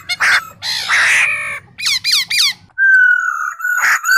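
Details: A male laughingthrush singing with a female, used to stimulate other birds, gives harsh, raspy squawks, then three quick down-slurred notes, then a long, clear, steady whistle.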